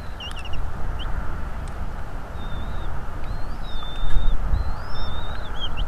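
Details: Bald eagle at a northeast Florida nest, February 2, 2022, 17:17, on a streamed nest camera. Scattered thin whistles, some flat and some rising, come irregularly, with a few quick chips early on, over a loud low rumble.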